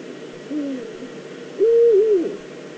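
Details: Eurasian eagle-owl, probably a female, in the Eifel, Germany, on 22 September 2014, calling before scratching at the nest scrape. A short soft lower note comes first, then a loud drawn-out hoarse call that holds steady and then wavers downward.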